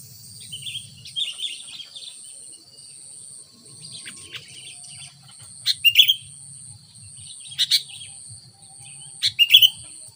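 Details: A sooty-headed bulbul, used as a lure in light drizzle, calls in short chirpy bursts every couple of seconds, the later ones louder, against a steady high-pitched insect buzz.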